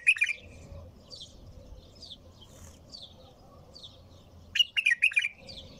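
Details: A bulbul's continuous song opens with a quick liquid warble, then after a quiet stretch of faint background chirping returns with a longer, louder run of bubbling, rising and falling notes near the end.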